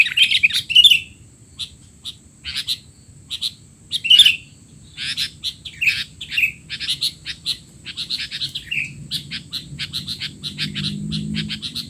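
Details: Excited sooty-headed bulbul chatter, the noisy 'teler' type used to train young birds: loud squeaky phrases at the start, then many quick chirps and short slurred notes throughout, with a low hum rising near the end.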